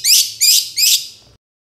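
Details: Long-tailed shrike giving three loud, grating rasps in quick succession, each about a third of a second long, as a lure to stir quiet birds into calling.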